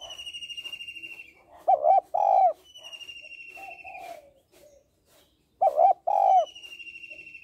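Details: Female spotted dove calling to stimulate males, giving two loud hollow coos twice, about four seconds apart, with softer coos after. Another bird repeats a high, buzzy, slowly falling trill between them.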